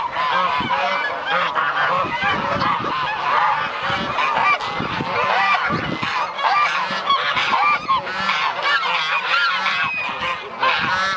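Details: A large flock of geese waking on a sunny winter morning at the goose paradise in Dalen calls continuously, a dense overlapping chorus of honks and nasal cackles with no pause.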